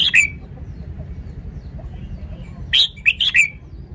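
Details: Red-whiskered bulbul with a sharp slurred opening note, a quiet stretch, then a rapid phrase of four bright, cheery warbled notes, against a soft low hum.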